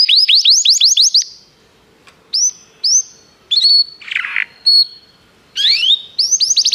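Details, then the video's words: Canary song for training other canaries, heard in short bursts with pauses: a rapid series of rising whistles, then isolated chirps and a harsh note, and a fast rising run at the end. "O melhor canário canário para treinar seu canário"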